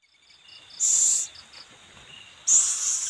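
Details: Owl feeding its young: two harsh, noisy hiss bursts, the second ongoing at the end, with rhythmic high insect chirps pulsing between them.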